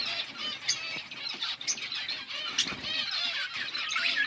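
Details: Budgies at their food on October 29, 2023, giving a steady stream of thin, wavering warbled notes and squeaky chirps that overlap without pause, with a few sharp clicks mixed in.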